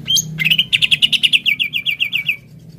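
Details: Lure song of a greater green leafbird meant to prompt singing: a high whistled note, then a lively series of about sixteen quick, clear down-slurred chirps fading toward the end, with a low background hum throughout.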